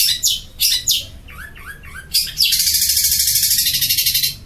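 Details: Long-tailed shrike, Madura type, a champion bird kept by its trainer, giving a few harsh chirps and short downslurred whistles, then a sustained rapid buzzy trill.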